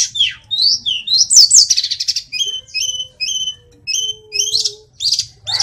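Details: Sulingan gunung, or tledekan, the Indonesian hill blue flycatcher, in full song. Twisting high whistles open the song, followed by a paced series of paired chirped notes repeated about every half second. A faint low hum sits in the background.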